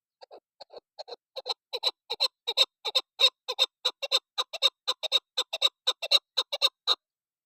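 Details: Female desi chakor, a chukar partridge, gives its hunting-lure call: a long run of rapid, throaty chuck notes that start soft and sparse, then speed up to about four per second and grow louder and steady.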